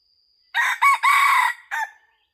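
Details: Red junglefowl crowing during a hunt with a decoy bird, 2022-2023: a loud crow with two short opening notes, a long drawn-out middle phrase and a clipped final note. A faint steady high insect whine comes before it.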